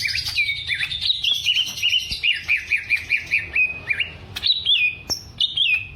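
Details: Greater green leafbird from Alas Purwo forest in Banyuwangi, Indonesia, a caged bird tested for mental strength and fighting spirit; fluent high whistled phrases with rapid wavering notes in a steady rolling series, then sharper upslurred whistles.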